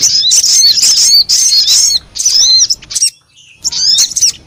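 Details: Wild-bird lure recording of a sogon: rapid high chirping phrases with downslurred whistles, a clear pause near the end, then one more short chirpy burst.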